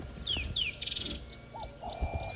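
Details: Rattling Cisticola singing from above during a safari drive toward a dam, 13 December 2016: two sharp, falling high whistles, then a quick buzzy rattle.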